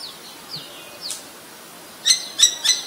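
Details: Common Myna recorded in Ubon Ratchathani, Thailand on 3 May 2022 using a Nikon P1000: faint downslurred whistles, then three loud, sharp, ringing notes spaced about a third of a second apart.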